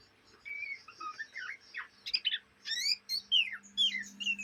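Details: Juvenile Oriental magpie-robin in Kalimantan, Indonesia, giving its day-and-night ngriwik chatter: a varied sequence of clear whistles, downward slurs and rapid trilled phrases at high pitch over a faint low hum.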